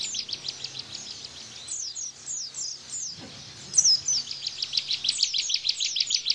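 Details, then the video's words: Bar-winged prinia 'tembakan' song used as cage-bird tutor: spaced, downslurred high chirps, a faint low thud, then a brighter whistle leading into a quick, regular chipping series. "Tembakan Ciblek Bren"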